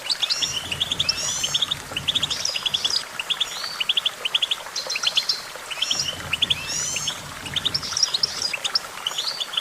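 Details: Goldfinch song: loud, rapid runs of chirps and trills in repeated bursts about every two to three seconds, energetic and tinkling, over a low hum.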